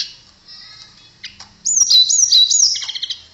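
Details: Melodious song of a blue flycatcher, known locally as tledekan: faint high tones, then a loud, sweet whistled phrase with wavering slurs ending in a quick stuttering trill.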